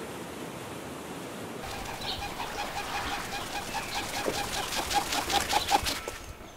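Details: Wingbeats of a kererū (New Zealand pigeon), a large, generally silent endemic bird, recorded in New Zealand in 2019: a run of heavy, rhythmic whooshes that quicken and grow louder over about five seconds, with a faint steady tone behind.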